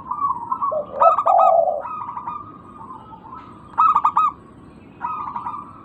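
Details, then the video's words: Zebra dove of a local type, calling on a lure track for birds that have stopped singing: stuttered coo phrases with trailing trills, plus a deeper, breathy coo early on, over steady faint hiss. "Pancingan burung perkutut lokal Atasi macet bunyi sangat ampuh dijamin pasti langsung nyaut gacor"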